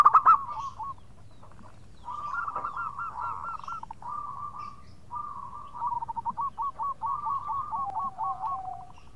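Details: Local zebra dove singing vigorously in the khong crewet style, calling to companions: a loud opening coo, then long runs of rapid, rolling mid-pitched coos in trilled phrases, with low background hum throughout.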